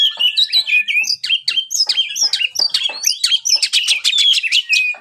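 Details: Kept white-rumped shama pouring out a fast, continuous song of mixed whistles, sharp chips and short trills at steady high volume.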